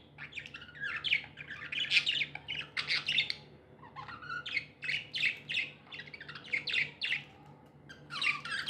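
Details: Happy pet budgies chirping: a steady stream of harsh squawky chirps and warbles, several birds overlapping in quick bursts with brief lulls, indoors.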